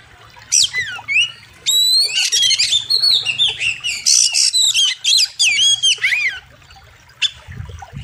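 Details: Oriental magpie-robin (kacer) singing for bird training: a dense rush of loud whistled notes, steep upslurs and downslurs and buzzy chips, with a brief final note after a pause.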